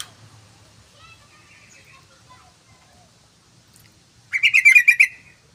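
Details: Yellow-vented bulbul, a long lure recording: faint human voices at first, then a loud, bubbling burst of about seven rapid throaty chirps lasting under a second.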